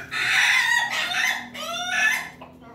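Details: Crowing Pelung chicken, Jogja: a loud crow broken into three linked harmonic segments that rise and fall over about two seconds, then trail off into quiet.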